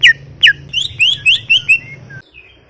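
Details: Greater green leafbird (cucak ijo) in gacor masteran song: two sharp downslurred whistles, then five quick rising notes in a row, over a low droning background that stops abruptly.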